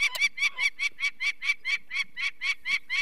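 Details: Peregrine falcon alarm at the nest, Barycz Valley, Poland, 2 May 2023, during removal of a chick with eye problems. Clean, evenly spaced harsh kak notes, about a dozen in three seconds.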